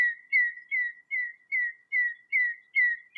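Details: A Common redshank (Tringa totanus) singing in the wild in Greece repeats clear, slightly falling whistled notes, about two or three each second, in a steady yodelling series with no other sounds.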